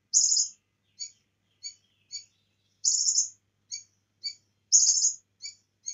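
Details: Bar-winged prinia song mixed with cililin song for training: repeated brief high chirps roughly every half second, alternating with three longer buzzy rattled bursts, in clean silence between notes.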